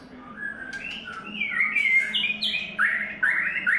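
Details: Third-molt white-rumped shama delivering a varied whistled song. Notes climb from mellow low phrases to bright, rapid high warbles, about three per second, irregularly spaced. A faint low hum runs throughout.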